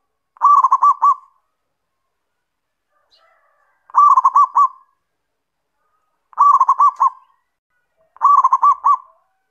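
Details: Zebra dove, a local perkutut, giving kerot and bekur style song meant to rile other doves: four cooing phrases at uneven gaps of two to three seconds, each a quick run of rolling, bubbling notes.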